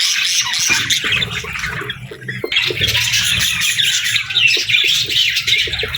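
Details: Parakeets chirping in the morning: continuous shrill chatter from many birds, briefly thinning around the middle, with soft regular low ticks underneath.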